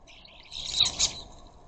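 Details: Rose-ringed parakeets visiting a garden bird feeder in a noisy flock: one brief, broad, rasping squawk swelling and fading within about a second.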